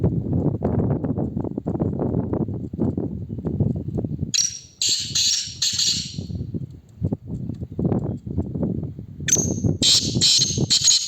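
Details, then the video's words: Black francolin in a calling competition: two bouts of harsh, grating, broadband calls in quick bursts, separated by long stretches of low rumbling background noise and knocking sounds. "Teetar Muqabla تیتر مقابلہ"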